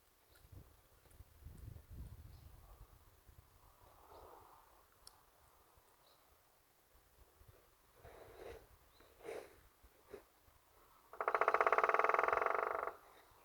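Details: Woodpecker drumming, knocking on a tree. After quiet, scattered taps and rustling, one fast, even drum roll lasts about one and a half seconds near the end and then stops abruptly.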